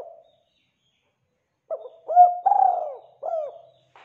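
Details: Spotted dove cooing, used as a lure to make other doves call: after a pause, a series of low, hollow coos, the middle ones loudest and drawn out, with a short final note.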